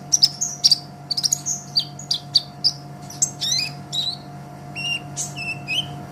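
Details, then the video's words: Sunbird in master recording for training songbirds: rapid high, sharp chirps and short descending whistled notes, several doubled, followed by a few flat stuttered notes and lower slurred tones near the end, over faint steady hum. "Suara Kolibri Ninja KONIN GACOR Untuk Masteran Kicau ! Konin Ijoan Gacor"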